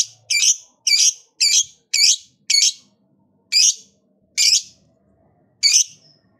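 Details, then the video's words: Lovebird uttering eight loud, grating chirps, the first five close together and the rest more widely spaced, in a quiet room; meant to spur other lovebirds to sing. "LOVEBIRD LOYO DIJAMIN JADI SEMANGAT BUNYI LAGI, Setelah Mendengar Suara Burung Lovebird Satu Ini"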